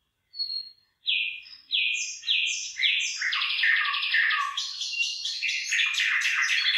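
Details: Singing bird over rice paddies with rice beginning to ear; opens with a few separate clear whistled notes, then builds into a rich, rapid cascade of buzzy trills and chirps.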